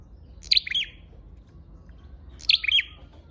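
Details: Lure call of a red-headed flowerpecker: a pair of quick, bright, high chirp clusters two seconds apart, sharp at the start and fading through a short buzzy tail, over faint background hum.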